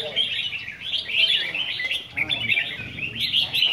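Red-whiskered bulbul singing a bright, continuous run of warbled, bubbling phrases, mid-high and rich, with little pause between them; faint voices sit underneath.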